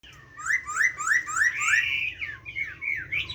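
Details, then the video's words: Chinese hwamei, a captive bird with forest-style song, delivering a run of loud, rich whistled notes that swoop down then rise, repeated about three times a second, followed by a long sustained whistle and looping phrases; faint low hum beneath. "Họa Mi hót . tiếng chim họa mi hót giọng rừng nuôi"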